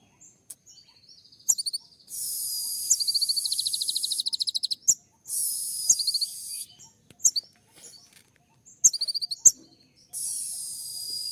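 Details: A kolibri ninja, a sunbird, sings a packed 'full isian' style song, said to court a female: bursts of high, sharp trilled notes and quick chips separated by long patches of loud steady hiss.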